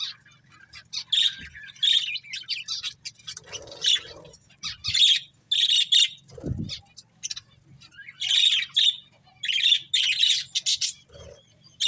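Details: Budgerigar breeding pair kept as pets, chattering in repeated bursts of high bright chirps and scratchy warbling, roughly one burst each second, with a low hum and an occasional dull knock.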